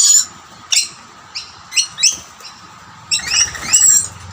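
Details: Rainbow lorikeets competing over two plates of snack, a dominant male chasing other birds from the food: a series of short, shrill, screechy notes, some overlapping near the end, with brief wing flutters.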